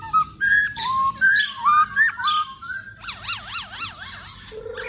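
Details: Singing black-throated laughingthrush gives short rising whistled phrases in quick succession, then a rapid wavering, warbled trill that climbs and falls repeatedly before a low steady note, over a soft hum.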